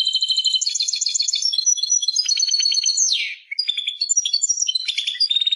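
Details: European goldfinch singing in Persia, a continuous stream of fast tinkling notes, rattling buzzes and one swooping descending note midway, bright and unbroken throughout.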